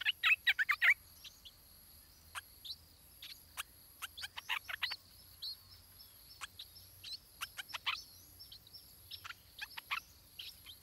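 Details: Stripe-throated bulbul chick in its nest being fed by its parents, tropical forest of south-eastern Asia; a loud burst of rapid harsh chirps, then scattered short downward chips and squeaky notes at varying pace, with a faint steady hiss.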